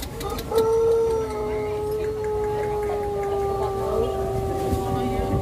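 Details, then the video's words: At a Pelung chicken contest in Karangrau village, Banyumas, a rooster gives a very long, steady crow that holds one level tone for several seconds and sags slightly, while people talk nearby. "Kontes Ayam Pelung Banyumas"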